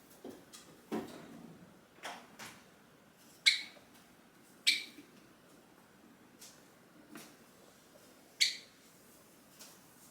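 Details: Pet hand-tame Java sparrow in a cage indoors, watching its owner and starting song and calling-out calls as the owner rises to leave; short sharp chirps scattered irregularly, a few louder bright notes, quiet room.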